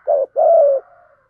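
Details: Lure spotted dove cooing in the 'thúc gù' style to provoke wild doves: a short low coo, a brief gap, then a longer steady mellow coo that slides gently downward, with a faint tail afterward.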